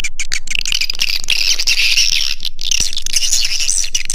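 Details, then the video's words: Calls of swiftlets used to attract them to a nesting house. Loud, crowded high chirping and twittering comes in quick pulses, a few every second, with a brief lull partway through. "Suara Panggil Walet"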